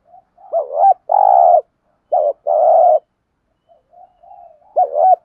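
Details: 'Thúc gù' cooing of a spotted dove, a pattern for stimulating and training decoy birds. Two full phrases of a curling double note plus an extended rolling coo are followed by quiet mutters, then the next double note begins.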